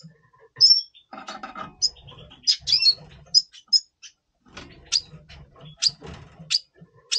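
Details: Double pastel red siskin voicing its pre-breeding mood in November 2023: a run of crisp, very high chirps spaced roughly half a second apart, a few doubled, over a soft low background hum.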